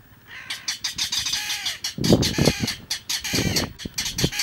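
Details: A mangrove rail (Rallus longirostris) at Icapuí, Ceará, Brazil, gives a loud, harsh clattering series of grating notes, several per second, with low rumbling background noise in places.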